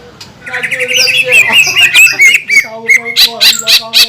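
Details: Energetic green leafbird song meant to rouse other green leafbirds: a rising, warbled string of whistles gives way to spaced, sharp chip notes repeated several times a second, with a faint lower tone beneath.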